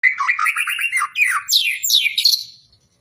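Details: Caged magpie-robin singing vigorously at a songbird contest hanging pole, delivering long, varied material. Rich warbled phrases tumble one into the next, with quick rising and falling slurred notes that climb higher toward the end before fading.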